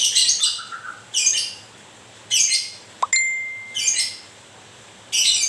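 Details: White-rumped shama during moult giving spaced harsh chattering bursts. A bright ringing tone sounds midway through.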